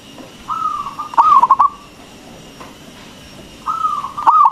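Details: Local zebra dove with a big voice, recorded to stimulate silent doves to sing: a long cooing phrase that breaks into quick stuttering pulses, a pause of about two seconds, then the phrase starting again.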